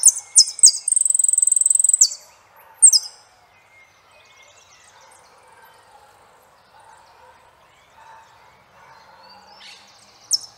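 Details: Saffron finch singing a few quick, sharp high notes and one sustained buzzy trill in the first three seconds, then fading into faint low murmuring background noise with a last brief note at the end.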